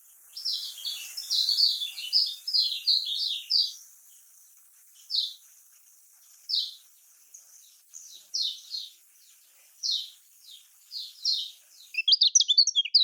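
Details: Lemon-bellied white-eye (kecial kuning) in Lombok style, used as a lure to make quiet birds sing: bursts of high, rapid twittering chirps, then spaced short phrases every second or so, ending in a fast stuttering run.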